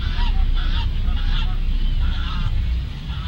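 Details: Geese at Lagoa Maior, Três Lagoas, giving a run of nasal honks, several in quick succession, over a steady deep rumble.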